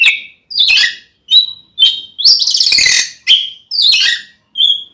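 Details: Oriental magpie-robin giving an aggressive 'ngeplong' fighting song to rouse a rival male to anger. Short rasping bursts alternate with clear whistled notes, and a longer harsh, buzzy passage falls in the middle.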